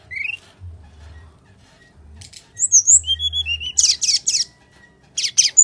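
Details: Bali myna fighting-mode song, meant as a lure for lazy singers: a rising whistle, buzzy bursts, then wavering high whistled notes and a loud cluster of harsh chirps, with low hum beneath.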